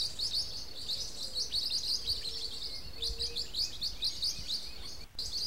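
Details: Blue-winged parrotlet giving continuous high, thin chirps in quick, irregular bursts, overlapping as if from several birds. A soft lower whistle-like tone drifts underneath, and a brief knock breaks in near the end.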